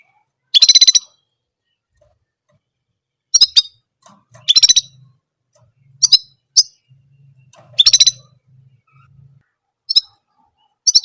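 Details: Orange German canary singing just one type of phrase: short, bright, buzzy high trills about half a second long, repeated every one to two seconds with silent gaps, and a faint low hum in between.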